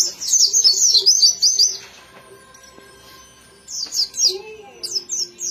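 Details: White-eye bursts into a dense, fast high twitter, goes quiet for about two seconds apart from a faint tone, then resumes with scattered sharp chirps.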